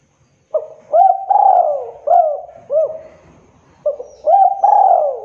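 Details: Spotted dove, called a 2022 champion, delivering two cooing phrases: a soft opening note, a long bowed coo and two quick hooked coos, then a repeat of the opening notes and long coo.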